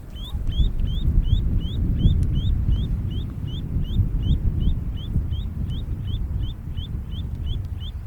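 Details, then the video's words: Long-billed Plover heard overhead above a gravel bed on the Hantan River, a tributary of the Imjin, where it nests and lays eggs; a steady string of clear, high, upslurred whistles, about three a second, over a heavy low wind-like rumble. "흰목 물떼새의 소리입니다"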